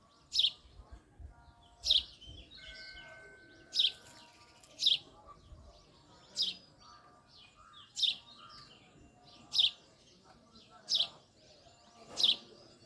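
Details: Chirping male house sparrow repeats one piercing high chirp about every one to one and a half seconds, eleven in all, with soft faint twittering and quiet background between notes.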